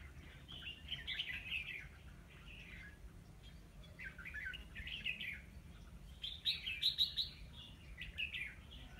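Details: Red-whiskered bulbul used as a decoy while trapping on 9 October 2016, singing to lure wild birds: short warbled, chirpy phrases in bursts with brief pauses, louder run near the end, over a steady low background hum.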